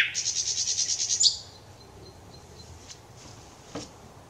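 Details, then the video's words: Thrush nightingale song recorded 25 May 2021: a high, rapid dry rattle lasting just over a second stops abruptly, followed by near silence with faint distant chirps and one brief click. "Satakieli laulaa, ääni kauniisti ja selvästi - Lucsiana lusciana"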